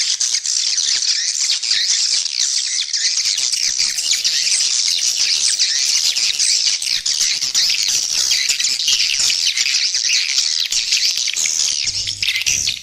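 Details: Swiftlet lure call for attracting swiftlets and boosting their numbers: many birds chattering at once in a thick, high-pitched, buzzy twittering that runs without pause.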